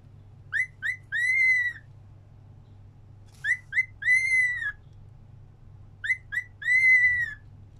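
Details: Singing-along cockatiel repeating one phrase three times: two quick rising whistles followed by a long arched whistle, about every three seconds, over a faint low hum.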